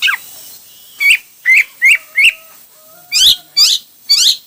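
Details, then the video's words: Hwamei giving separate loud whistled notes, each a short downward slur, spaced roughly every half second, with a few brighter sharper notes near the end and a faint steady tone in the background. "Coob quaj ntaus yam (Hoạ mi hót nhiều kiểu hay)"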